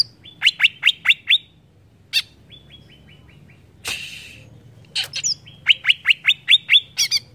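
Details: Greater green leafbird song used as provocation: five loud chirps, a soft descending note series, a harsh noisy burst, then rapid repeated chirps.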